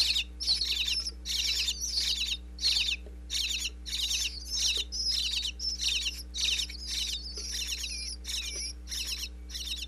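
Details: Young bluebirds inside a Pennsylvania nest box chirp at a parent's food visit, captured with a wireless microphone in the box: separate sharp, high, buzzy bursts repeated about every half second, some ending in thin rising whistles.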